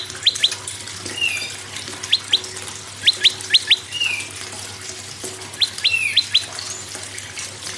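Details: Prinia singing in scattered bursts of two to four sharp, rising whistled notes, with an occasional softer slurred note between groups, over a steady low hum. Used to encourage other birds to sing.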